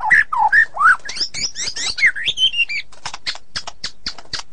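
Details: White-rumped shama song of fluty rising and falling whistles, followed by a run of sharp, evenly spaced high clicks.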